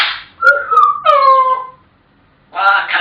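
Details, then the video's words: African grey parrot giving clear tonal whistles that slide and hold steady, then a burst of harsher speech-like chatter after a short pause. "Chatterboxes!! African Grey Parrots"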